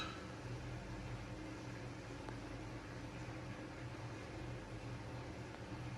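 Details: Steady fan-like mechanical hum and broadband room noise fill the recording, with no animal calls heard.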